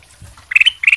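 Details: Two quick bright phrases of fluty, slightly rising notes from a ruby-throated bulbul singing strongly, a lure song meant to get other birds to reply straight away.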